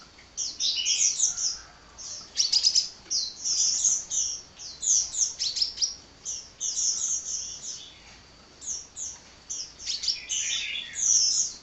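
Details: Hummingbird pouring out unbroken high twittering song, fast squeaky notes and short trills repeating in bursts over a quiet background.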